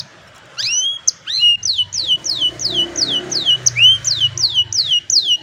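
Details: Old canary on a sunny morning, recorded by cellphone: after a short pause, a series of clear descending whistled notes repeated about three per second, with soft background noise.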